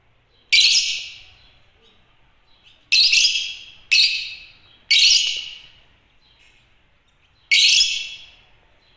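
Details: African lovebirds (Agapornis) chirping: five loud, harsh, shrill chirps, each a sharp burst that fades with an echoing tail, spaced irregularly about one to two and a half seconds apart in a quiet room.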